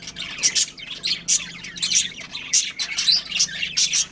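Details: Caged budgerigar breeding pair: lively high chirps and squeaky warbling, short bursts repeating about twice a second, with a faint background hum.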